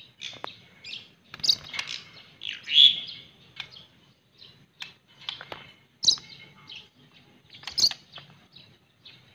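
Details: Treasured pet white-rumped shama singing a varied run of quick high chirps, trills and whistled phrases, one loud bright whistle near the middle, with faint soft twittering continuing throughout.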